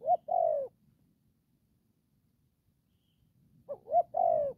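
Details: Young spotted dove kept as a decoy bird for trapping, calling in the style known as đồng pha: two cooing phrases, each a short low note then a longer, slightly falling coo, with about three seconds of silence between phrases.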